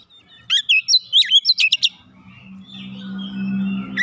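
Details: Oriental magpie-robin singing as a lure: a quick burst of varied whistled and sharp chirping notes over about a second and a half, then quiet with a low steady hum in the background.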